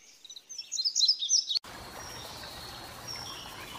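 An Indigo bunting gives a quick burst of high, bright twittering notes for about a second and a half, then cuts off into a steady background hiss.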